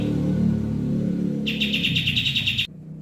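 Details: Bird call used as a tutor and lure for training songbirds: about a second of quick, sharp, repeated high chirps in one rattling burst after a stretch of low humming rumble, then a sudden cutoff.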